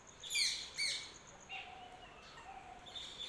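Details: Early morning birdsong: two loud, high, downward-swept chirps close together, then quieter scattered tweets and soft drawn-out whistles against faint ambient noise.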